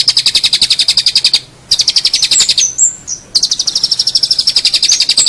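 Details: Long-tailed shrike tutoring master: fast, buzzy trilled phrases broken by a short pause and a few whistled slurs.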